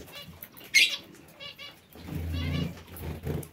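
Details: Aviary parakeets calling with a sharp loud squawk followed by softer raspy chatter, over low rumbling noise.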